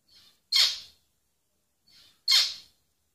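A zebra finch gives a soft introductory note and then a loud, harsh, buzzy syllable, twice.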